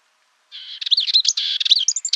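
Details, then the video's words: Dartford warbler song: a single scratchy, chattering phrase of rapid buzzy notes mixed with short high whistled slurs, lasting about a second and a half, with no other sounds. "Curruca rabilarga (Curruca undata) Canto"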